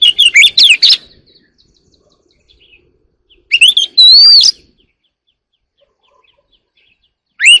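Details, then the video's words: Oriental magpie-robin in early-morning song, giving separate bursts of varied whistles and chips with long quiet gaps of a few seconds between phrases, including a looping, swooping whistle. "kacer alam | warbler sings early in the morning || Chòe than hót đấu chim rừng quá sung"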